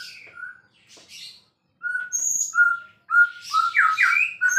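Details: White-rumped shama described as a champion, singing busily: clear whistled notes near mid pitch alternating with sharp high squeaky phrases and quick rising slurs, delivered in bursts separated by short pauses.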